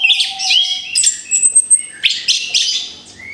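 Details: A freshly moulted orange-headed thrush is back in song with bright high chirps, a long thin whistled note and short rising slurs, in quick bursts.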